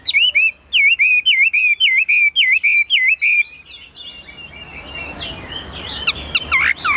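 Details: Caged Chinese hwamei kept as a songbird in Vietnam, singing high: a fast run of about a dozen loud, clear whistled notes, each swooping down and up, then softer, jumbled warbling phrases over faint background noise.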